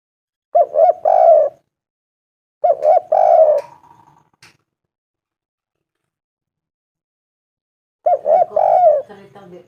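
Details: Spotted dove of a local strain calling a female: clear phrases of two short coos and a longer falling coo, repeated about every two and a half to five seconds, with quiet gaps between.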